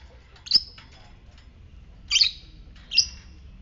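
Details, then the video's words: Fighter lovebird uttering ngetik notes meant to provoke ngekek trilling in others: three brief, piercing high chirps, the first alone, the last two close together about a second apart. "Pancingan lovebird ngetik fighter merangsang ngekek"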